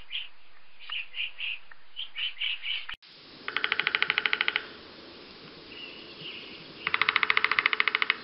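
Two rapid woodpecker drum rolls, each about a second of fast even taps, after a run of short high chirps from other birds.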